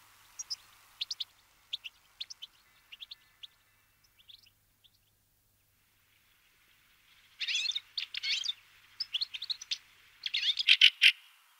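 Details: Fieldfare (Turdus pilaris): scattered short high chirps at first, then a quiet gap, followed by bursts of loud, harsh, rasping chatter repeated in quick groups.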